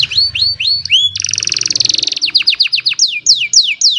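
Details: An old canary sings on a sunny morning, caught by cellphone: upswept whistles, a fast churring trill, then repeated steeply falling notes that quicken and finish in looping downslurred whistles.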